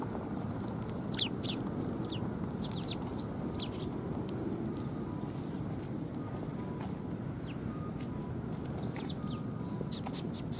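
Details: Sparrows coming to be fed at a Tenmangu shrine on 18 December 2020: scattered short, sharp chirps rise and fall through the clip, some in quick pairs, over a steady low rumbling background.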